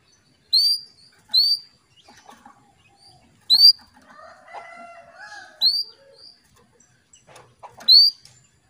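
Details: A female canary calling the male to raise his breeding drive repeats a single high, rising whistled tweet roughly every one to two seconds. Faint quieter chirping and murmuring sit underneath.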